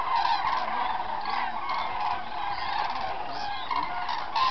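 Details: A large flock of cranes at Halásztó in the Hortobágy puszta, October 9, 2008, calls continuously, a dense overlapping chorus of loud, rolling trumpeting notes.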